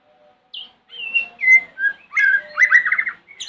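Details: White-rumped shama singing in the morning to make other shamas reply: a high opening note, then sliding whistles and a pure steady tone, ending in a fast buzzy trill and a final high note over a faint low hum.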